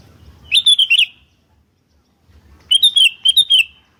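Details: Sooty-headed bulbul (kutilang), a vocal bird in a lure and master recording of answering birds: a rollicking phrase of four or five liquid whistled notes, silence, then a longer phrase of six similar notes.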